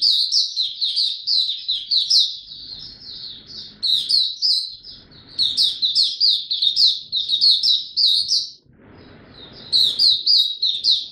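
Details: A maturing male white-eye, recorded 9 February 2022, sings a rapid, high twittering song of thin chirps and slurred notes, running in long bursts with brief pauses.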